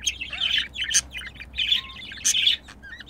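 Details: A pair of budgerigars mating: dense, rapid chirping chatter with sharp high notes and rising squeaks in quick bursts, close and loud.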